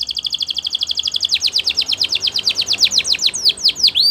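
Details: Belgian canary delivering a long accelerating series of clear whistled notes that become steeper downward sweeps, roughly ten per second, ending in a rising whistle.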